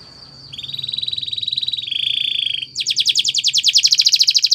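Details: Spanish Timbrado canary training song: a soft, even low trill held for two seconds, dropping slightly, then a louder fast rattling trill of high notes.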